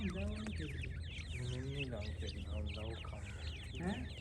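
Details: Francolin chicks peeping in a thick chorus of high, wavy notes, accompanied by repeated lower, harmonic, voice-like sounds in short bursts and a constant low hum.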